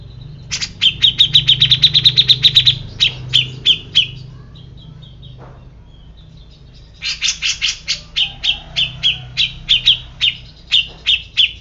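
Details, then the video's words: Grey-cheeked bulbul giving two bursts of rapid, repeated sharp chipping notes, each run about two seconds long, separated by a quiet pause of some three seconds. "Cucak Jenggot Bisu Langsung Emosi"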